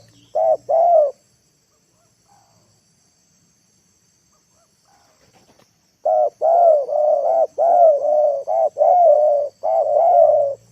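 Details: Decoy spotted dove calling to lure wild birds down to the ground: a short pair of low, husky coos, a silence of about five seconds, then a dense run of repeated coos for the last four seconds.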